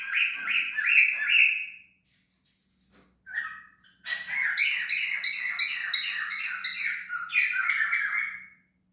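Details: Cockatiel vocalising: a short warbled phrase, a pause, a single chirp, then a rapid run of chattering notes at roughly three per second that rises and falls for about four seconds.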